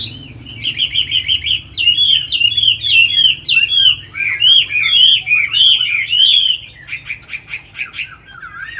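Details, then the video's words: Caged tame Chinese hwamei in Hà Nội, known for fine singing, pours out loud, slurred, bouncing whistles repeated in quick succession for about six seconds, ending in a softer fading warble. "Mi thuần cb6159 đẹp mau mỏ hót hay"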